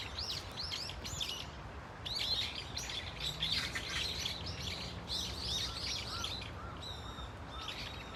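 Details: Brown-eared Bulbul flock at Dunsan Grand Park in Korea: repeated groups of harsh, arching squeaks, plus a few softer lower chirps and a brief steady hum, over background rumble.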